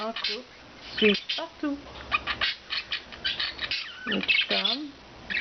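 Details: Rescued pet budgerigars, four free-living birds, chatter in quick high chirps and warbles while a person talks in between, low voiced syllables alternating with the birds' twittering.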